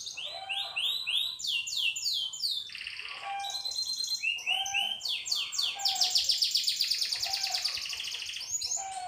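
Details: Yorkshire canary in continuous song, stringing together rapid rising whistled phrases and dense buzzy rolls, with soft lower notes recurring.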